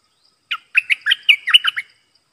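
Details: Red-whiskered bulbul, a caged decoy singing to lure wild birds, recorded 12 September 2021: a quick burst of about eight sharp, chirpy whistled notes, rising and falling, packed into just over a second, with a quiet background.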